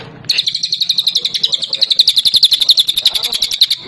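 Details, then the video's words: Cililin delivering a long burst of rapid 'tembakan' song: crisp, very high notes fired in quick succession, growing louder and denser toward the end, with a faint low murmur at the start. "Cililin Gacor Tembakan Rapat"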